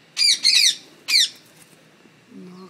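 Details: Parrots kept in a home give three short, harsh, rasping squawks in quick succession, then a faint low hum follows.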